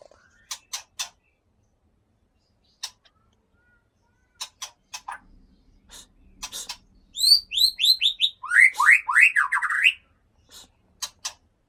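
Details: White-rumped shama from Gunung Leuser, Aceh, held in a cage. Sparse dry clicks give way to a fast run of high descending whistled sweeps, then a lower series of rapid swooping notes, ending with a few more clicks.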